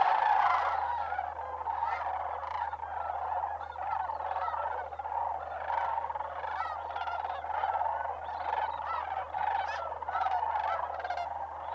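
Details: Large migrating flock of sandhill cranes in December at Bosque del Apache Wildlife Refuge, New Mexico, calling together in a steady wall of rattling, bugling notes with many individual calls rising out of the din.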